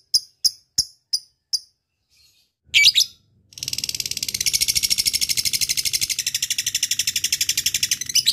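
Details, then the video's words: Lovebird calling a rival: a few spaced sharp ticks and a brief harsh burst, then a sustained, fast, buzzing 'ngekek' chatter of high rasping notes. "Lovebird figh ngetik ngekek panjng"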